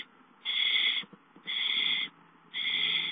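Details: Owl at a nest as a gopher is brought in as prey: three harsh, breathy hissing bursts, each about half a second long, separated by short silent gaps.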